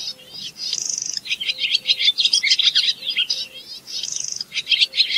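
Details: Barn swallow song mixing dry, buzzy rattling trills with rapid squeaky twitters, the trill returning twice in a lively, fast-paced stream of high notes.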